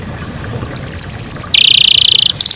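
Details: Brief morning song of a domestic canary: a short run of clipped high notes followed by a dense, rapid buzzing roll and the start of another trill.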